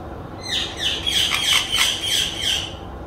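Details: Parrot vocalizing: a run of five or six harsh, chirpy, slurred syllables, each swooping down in pitch, delivered steadily over about three seconds against a faint background hiss.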